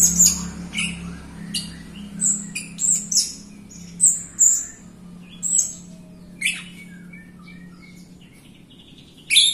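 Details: Jalak Rio myna in active song for training other Jalak Rio birds and lazy singers; sharp high chirps and short whistles in irregular bursts, fading to quieter notes before one last loud chirp, over a low hum.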